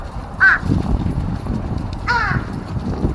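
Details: Feeding crows, fighting on 13 March 2026, give two loud caws: a short, bright one and then a longer, harsher, ragged one, over low rumble.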